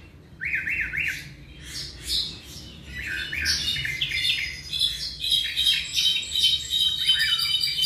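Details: About seven months old, a tropical mockingbird delivers a varied song: opening with repeated rising chirps, then scratchy squawks and dense high twittering notes in rapid succession, over a faint low hum.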